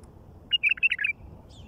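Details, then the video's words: Bulbul in the wild delivering a single short, chattering phrase of about five rapid, liquid notes that rise and dip, heard over a soft low background murmur. "تغريد بلبل وحشي على الطبيعه"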